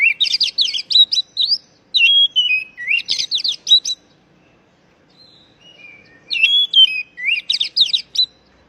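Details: Oriental magpie-robin call for stressed, silent young birds: loud whistled notes sliding downward, then quick chattering bursts. The phrase comes twice with a pause and soft whistles between.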